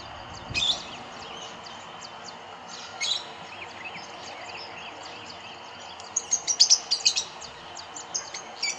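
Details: Several Rosy-faced lovebirds feeding on berries in Kyalami, Midrand, Johannesburg; sparse shrill chirps early, then a dense, excited run of piercing high squeaks and chatters toward the end.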